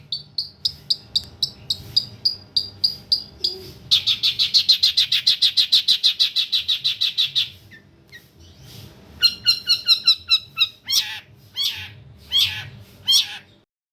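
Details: Long-tailed shrike singing, used for tutoring other birds: a series of sharp chirps, a long dense chattering rattle, then varied scratchy and downslurred notes of changing pattern.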